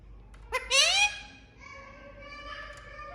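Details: Talking pet Indian ringneck parakeet uttering one loud, rising, squealing note lasting about half a second, followed by soft, thin drawn-out tones and a low steady hum.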